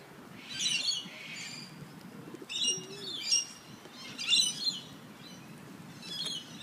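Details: Sulphur-crested cockatoos, a wing-tagged pair at play with a coffee cup in Sydney's Royal Botanic Gardens, giving rough, grating squawks in bursts roughly every second or so, with soft low rumble underneath.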